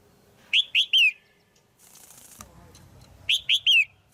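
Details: A female red-whiskered bulbul calls to stimulate a male or to pair: a three-note whistled phrase, the last note sliding down, repeated after about two and a half seconds, separated by a loud wing-flutter burst.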